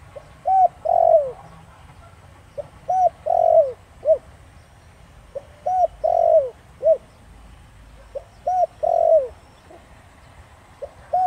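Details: Spotted dove singing in the Thổ Đồng voice style, used as a lure to make wild doves call back. Four phrases about every three seconds, each a soft short note, a clear coo, a long falling coo and a brief closing note. Faint low background rumble.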